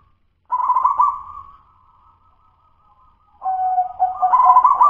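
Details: Wild local zebra dove singing in the immature "dudut-nutut" style; a burst of bubbling coos trails into a long soft trill, followed after a gap by louder rolling, stepped coo phrases.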